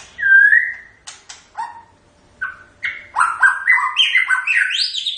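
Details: White-rumped shama opening with a pure, slightly rising whistle, a few clicks and short slurred notes, then a fast, loud cascade of varied whistled phrases climbing higher toward the end.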